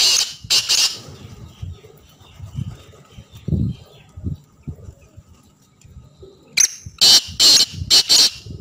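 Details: Harsh, rasping notes of a black francolin: one phrase ends at the start, then a full phrase of five grating chirps. Quieter low cooing sounds come in between.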